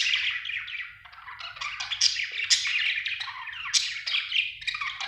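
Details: Steady budgerigar chirping: dense, scratchy warbled chatter carried along without pause, broken by several piercing high squeaks spaced about half a second to a second apart.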